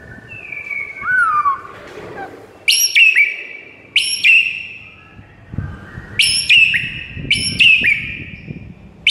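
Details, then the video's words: White-rumped shama, a bird said to go from silent to excited on hearing morning tutor recordings: clear whistled notes with downward and rising slides, bursts of sharp high chips between pauses, light background rustle. "Murai batu BISU seketika NAIK EMOSI dengar MASTERAN PAGI ini"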